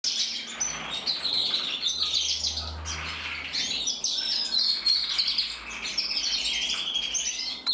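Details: Male red mosaic isabel canary from a breeder, singing in 2024: a continuous run of bright, high trills and rolling warbles with quick rapid-fire notes, sustained for the whole stretch, with a faint low hum beneath.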